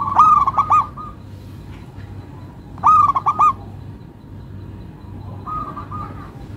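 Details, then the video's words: Zebra dove, a local perkutut, singing a melodious song. Two loud bursts of quick, rolling, bubbling coos about three seconds apart, then a fainter answering phrase near the end. A low background hum runs underneath. "Perkutut Lokal irama merdu, suaranya bikin adem ayem"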